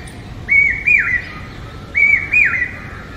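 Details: Two loud, shrill whistled phrases from a common hawk-cuckoo, the brain fever bird, each a run of about three notes with the last rising then dropping sharply, about one and a half seconds apart, over quiet background hiss.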